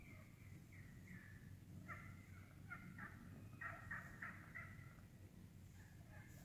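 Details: Wild turkey flock calling as it feeds in the woods: spaced clucks give way to a quick, uneven run of loud cutting notes in the middle, tapering to softer clucks over low hum.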